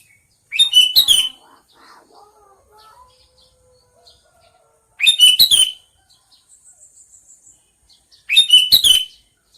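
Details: Sooty-headed bulbul giving three loud, bubbly bursts of a few quick chirping notes each, spaced several seconds apart. Faint low warbles and a thin high trill fill the pauses between bursts.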